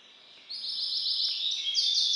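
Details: Hybrid of White-rumped Seedeater (Serinus leucopygius), a captive-bred song bird, singing song variant IV: a high, fast, continuous twittering warble that runs without pause and grows a little louder and brighter near the end.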